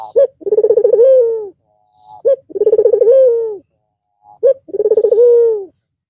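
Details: White Barbary dove with red eyes, back to singing after a long Eid al-Fitr break. Three coos about two seconds apart, each a clipped opening note, a burst of fast pulses, then a drawn-out falling tone.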